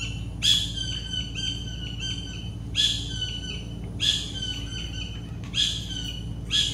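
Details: Collared kingfisher in Goa giving repeated sharp, ringing notes in quick runs, punctuated by five loud harsh bursts at irregular intervals. A constant low droning hum sits beneath the calls.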